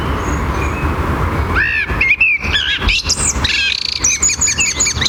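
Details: Eurasian blackbird singing at dawn in the Real Jardín Botánico, Madrid, over steady low traffic rumble from the Paseo del Prado; after a noisy opening, arched fluting phrases and quick twittering trills follow in rapid succession.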